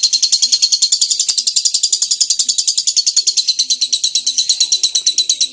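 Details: Lovebird in full, long ngekek song: a high, dense, rapidly pulsed trill running unbroken for over five seconds, each note a bright chattering burst, with faint low background sounds.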